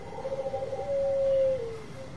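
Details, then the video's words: Bangkok-type zebra dove with a long voice, used as a lure to set other birds singing: a short trilled lead-in, then one long, steady, pure coo that dips slightly at the end, over a faint steady background whine. "Perkutut Bangkok Suara Panjang Cocok Buat Pancingan"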